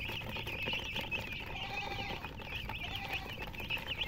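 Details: Chicken chicks with a hen: a dense chorus of high, squiggly peeps from several birds, overlapping without pause over a steady low background hum.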